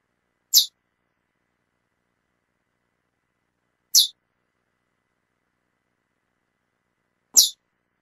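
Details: Female chestnut-bellied seed finch calling repeatedly: three short, sharp, high-pitched chip notes spaced roughly three to four seconds apart, with silence in between.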